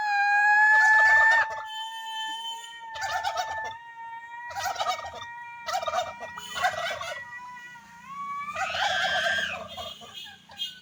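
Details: Turkey voice in a series of harsh, rattling bursts repeated roughly every one to two seconds over a steady tonal background, ending in a louder, longer rasping burst.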